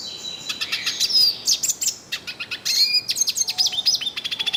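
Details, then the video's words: Yellow-faced siskin of northeastern Brazil singing in the wild, delivering rapid high chattering notes, buzzy trills and quick up-and-down whistled slides in a continuous outpouring. "PITASSILGO DO NORDESTE CANTANDO MUITO NA NATUREZA - CANTO DO PINTASSILGO DO NORDESTE"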